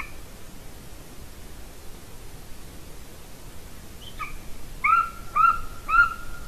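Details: Golden eagle female at a Latvian nest, nest camera, 30 January 2019: quiet hiss for several seconds, then a short note followed by three clear, whistled yelps about half a second apart.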